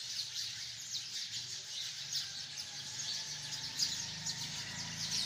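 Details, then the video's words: A tree full of hundreds of sparrows creates a constant bright chatter of countless overlapping chirps, with a faint low rumble of background noise underneath. "chirping of hundreds of sparrows in the tree || chirping of beautiful sparrows || sound of sparrows"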